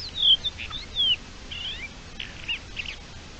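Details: Thekla's lark courtship song recorded on 27 March 2021: clear, high whistled slurs, some falling and some rising, in short bursts, over faint background hiss.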